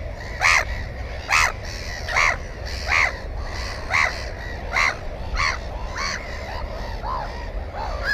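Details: Black-headed gull at its nest holding one egg and one chick, filmed with a GoPro camera: harsh, grating calls repeated about every 0.8 seconds, loud at first and trailing off, over a steady low rumble of wind.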